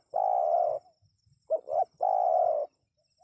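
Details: Loud, clear spotted dove calling meant to provoke wild birds into replying. A long even croon is followed by two brief hooked coos and another sustained croon of similar length.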